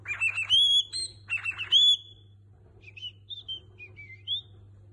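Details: Cockatiel copying human melodies such as La Cucaracha: two bursts of rapid warbles ending in bright clear whistles, then softer short whistled notes stepping up and down, over a faint room hum.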